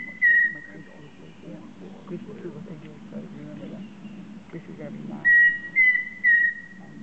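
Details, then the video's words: Pheasant cuckoo on Pipeline Road giving pure whistled notes: a single note, then three in quick succession about half a second apart, the last slightly wavering; voices murmur underneath. "pheasant cuckoo"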